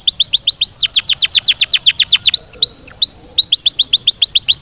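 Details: Canary singing a quick steady trill of descending notes, broken by a few slow rising whistled phrases, then returning to the rapid trill.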